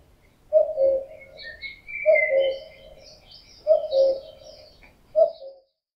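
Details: In summer a male common cuckoo repeats its loud mating-season cu-coo three times at roughly 1.5-second intervals, high note then lower note, ending with a clipped fourth call; other birds sing faintly.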